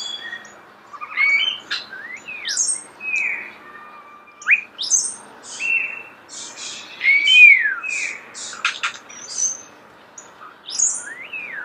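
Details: Starling recorded close up, singing a varied, playful medley of high whistles, upward and downward slurs, squeaky notes and sharp clicks, delivered in separate short phrases with brief pauses.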